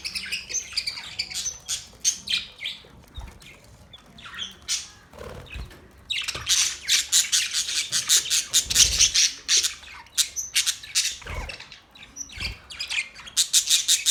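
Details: Budgies chirping rapidly, sparse scratchy notes at first, then a long loud stretch of quick, evenly pulsing chirps, trailing off and returning in the closing seconds.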